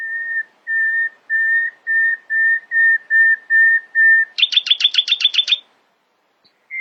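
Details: Nightingale's early-morning song: about nine loud, evenly spaced pure whistles on one pitch, then a fast, harsh, pulsing rattle, a brief silence and one more whistle.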